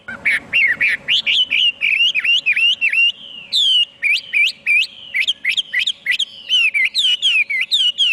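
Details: Rich, continuous Chinese hwamei song made of rapid, repeated whistled phrases that rise and fall, delivered almost without pause for eight seconds, with a faint hum in the background.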